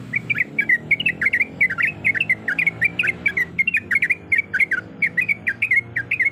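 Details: Female yellow-vented bulbul in breeding condition calling the male: loud, fast chatter of sharp rising and falling chirps in small bunches, nearly continuous throughout.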